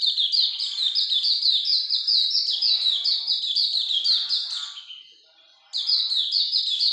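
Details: High, hurried twittering from a Hume's white-eye. Dense, descending chirps follow one another several per second, then drop out briefly before a fresh burst starts.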